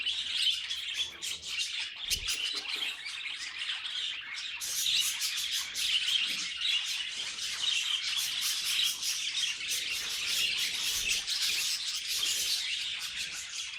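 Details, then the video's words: Pet budgerigars keep up a long run of chirps, clicks and squeaky warbles, quieter at first, then growing denser and louder after a short gap. "Funniest Budgie Sounds Caught on Camera"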